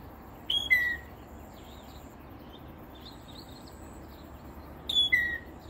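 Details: Northern mockingbird singing from hiding in a peacock flower bush beside a house in south coastal Texas, early morning; two short high whistled phrases, each a sharp note dropping into a slurred downward whistle, about four seconds apart, over soft background hiss.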